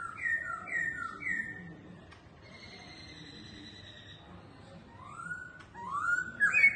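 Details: Caged laughingthrush singing while dancing: a few looping whistled notes, then a long quiet stretch with a faint steady tone, ending in rising whistled slurs.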